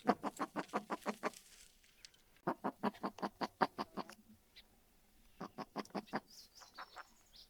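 Gunnison Sage-Grouse giving three quick runs of hollow, popping clucks, eight to ten notes per burst, with short pauses between bursts.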